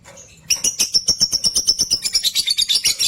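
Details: A rapid, loud, shrill chatter from caged lutino opaline lovebirds, short chirps pouring out about six per second, growing harsher and denser toward the end.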